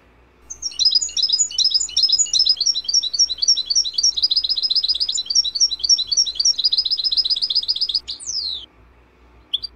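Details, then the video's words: Cage-bird training song of a European goldfinch: a long, dense run of rapid tinkling twitters and buzzy trills lasting about seven seconds, ending in a falling slurred note. "Goldfinch 12h The BEST Song"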